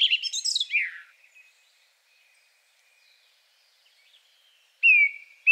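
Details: Second male Song Thrush giving a very simple song with a few unusual sounds: a harsh, descending, scratchy phrase, several seconds of near silence, then two loud clear whistled notes.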